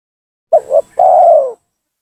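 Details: Single phrase of a spotted dove lure call meant to bring rivals down: a short two-note coo and then a drawn-out, slowly falling coo lasting about half a second.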